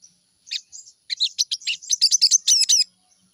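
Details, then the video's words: Crimson sunbird singing, from a morning lure meant to make it sing quickly: a short, accelerating phrase of high, sharp chirps and squeaky trilled notes, about a dozen in under three seconds, against silence. "pancingan burung sogon di pagi hari || pancingan sogon agar cepat bunyi"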